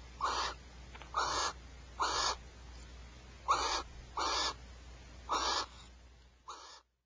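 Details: At Starr Ranch a male and female barn owl fight over a rat, giving seven harsh, breathy screech bursts about every three-quarters of a second, the last shorter and quieter before the sound cuts off.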